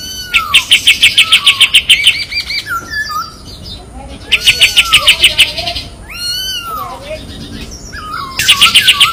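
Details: White-eye known locally as kapas tembak, song for masteran training with tight besetan trills: three loud bursts of rapid high chips separated by slurred, looping whistles dropping and rising in pitch.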